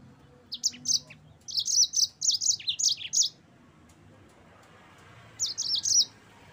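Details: Yellow-fronted canary song in a training recording: a lively run of high, clipped chirping notes in tight groups, a pause of about two seconds, then a short final burst of chirps.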